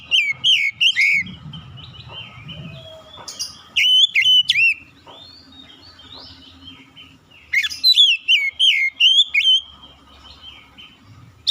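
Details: Magpie-robin pouring out bright whistled phrases: a rolling wavering series, a short burst of sharp upslurred notes, then after a gap another lively run of looping whistles; faint low hum beneath.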